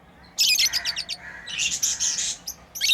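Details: Pet lovebirds at play chattering in a fast run of shrill, high, buzzy chirps, with a short rasping squawk and a final burst of chirping at the end.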